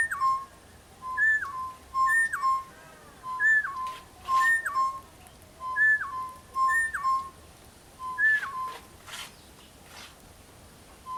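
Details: A pair of East Coast Boubous calling from a tree on a morning bird walk in bush near Kilifi: clear, bell-like whistles that flip up and drop, paired and repeated about every second, with a few harsh rasping clicks between.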